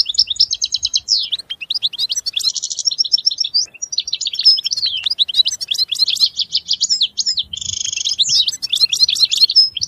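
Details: European goldfinch in full song, a long unbroken stream of bright twitters, sharp clicks and buzzy rattling trills delivered rapidly.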